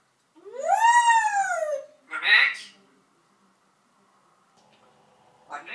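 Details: Pet parrot in Turkey, kept two years and said to know about 80 words, producing a long, arching harmonic whistle-like vocalisation, then a short raspy word-like sound, followed by near silence.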